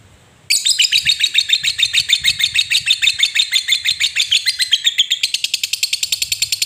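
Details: Ngekek panjang of a lovebird, the long chatter played to stir silent lovebirds into song: a fast, steady series of high, buzzy pulses, about three per second, running unbroken for over six seconds.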